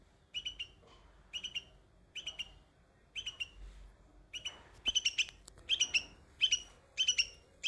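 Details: Baby bulbul singing among white flowers: crisp high chirp pairs and triplets at a steady pace, growing louder and denser toward the end, with a brief click midway.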